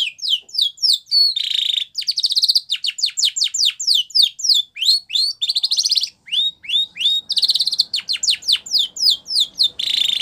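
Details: Canary training song: long unbroken stream of fast downward-sweeping notes, interspersed with buzzy rolls and rising slurs, very regular tempo and loud.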